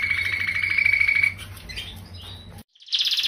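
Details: Canary singing a rolling song used to train other birds: a pulsing trill with a low hum beneath, quieter warbles, a brief silence, then another rapid high trill.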